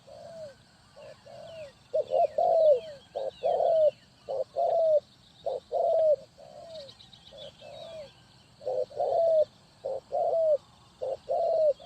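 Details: ['Spotted dove as a lure for bird trapping: a long series of mellow coos in irregular groups, with thin high chirps and whistles of other small birds.']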